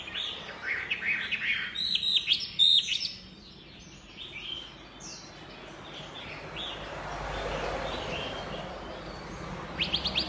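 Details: Chinese hwamei in lively, nonstop singing: bright whistled and slurred notes around the upper range pour out for about three seconds, then fade to soft scattered phrases over a steady background hiss, with a brief louder burst at the end.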